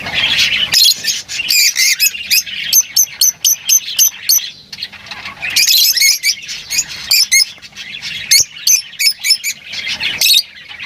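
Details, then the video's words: Flock of lovebirds giving continuous shrill twittering, broken by repeated runs of sharp, evenly spaced high chirps and squeaks throughout. "Huni ng Lovebirds | Love birds Singing [ Call Sound ]"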